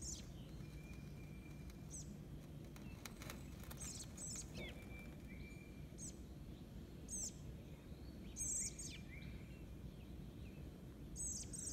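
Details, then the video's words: An American robin fledgling on a lawn in eastern North America, being fed by its father on 06/06/2022, begs with thin, high, sharp chirps every one to two seconds over a steady low background rumble. "American robin dad feeding his fledgling"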